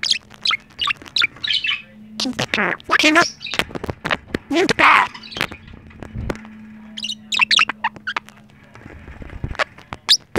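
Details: A male talking budgerigar chatters in rapid, scratchy bursts, mixing mimicked speech, including learned commands like "wave" and "turn around", with bright chirps and warbles.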